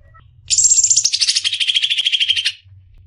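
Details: Cucak ijo, the greater green leafbird, billed as a champion-in-the-making for tutoring songbirds: a bright high slurred opening that slides down into a steady rapid rattling trill for about two seconds, with faint low background hum.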